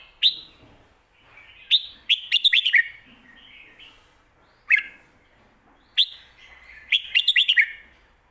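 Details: Caged competition Red-whiskered Bulbul singing in the Thai 'lak wai' and 'mae bot' song styles: bright whistled phrases, each opening with a sharp note, then rapid bursts of five or six clipped notes, repeated with short pauses between.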